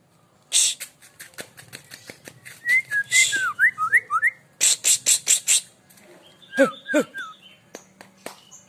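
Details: Aceh white-rumped shama giving short, bright whistled notes that rise and fall in quick phrases, broken by bursts of loud, rapid clicking and scratchy noise.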